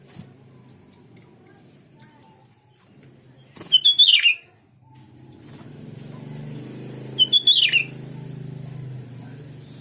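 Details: Sooty-headed bulbul song used to make other bulbuls answer: two brief phrases of rapid liquid whistled notes about three seconds apart, over a steady low engine-like rumble and a sharp knock.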